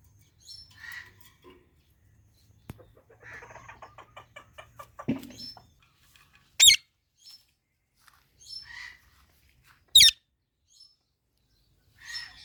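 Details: Two parrots feeding on mango make a quick run of ticking, chattering notes, then brief scratchy calls and two loud, harsh screeches about three seconds apart, over faint handling noise.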